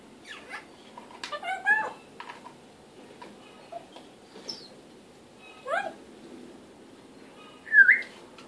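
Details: African grey parrot talking indoors: scattered speech-like syllables, clicks and short warbles, with a louder mid-phrase burst and a clear whistled rising note near the end.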